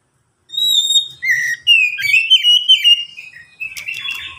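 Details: Oriental magpie-robin in full song, used to draw other magpie-robins into singing quickly: a sweet whistled note, then a varied chattering warble of quick slurred whistles for about four seconds.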